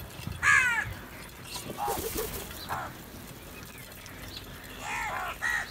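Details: Quarrelling crows after food: a loud, rough caw opens, then fainter scratchy calls and noise, and two more hoarse caws close the sequence.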